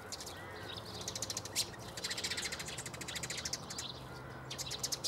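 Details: Eurasian tree sparrows recorded at Bundek in Zagreb, Croatia, 9 March 2015, chattering in a dense, rapid run of high, clipped chirps that carries on almost unbroken, with a faint lower harsh call early on.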